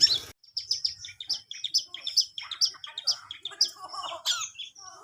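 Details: Long-tailed shrike practising song: a rapid run of short, high chipping notes repeated several times a second, growing into busier, scratchy chatter toward the end, opening with a brief noisy burst.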